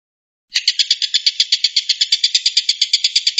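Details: A Stork-billed kingfisher gives its characteristic shot-like call, a harsh, rasping cackle: a fast steady run of about eight grating notes each second, loud and unbroken, with no other sounds.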